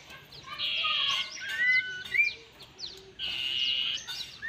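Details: Fierce common iora heard during decoy trapping: bursts of dense, buzzy chattering mixed with clear rising whistles, two long chatters about two seconds apart, over faint background noise.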